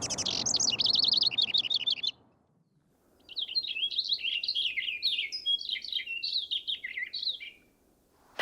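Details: A male Cassin's Finch sings in Yosemite, a rapid, warbled run of bright, twittering notes with a second long burst after a brief pause; an elaborate song borrowing sounds heard through life, longer songs showing the male's fitness to females.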